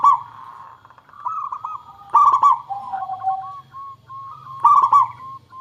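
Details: Local zebra dove song played to lure birds into singing; loud clipped note clusters recur roughly every two and a half seconds, linked by looping, bouncing coos that briefly drop lower before rising again.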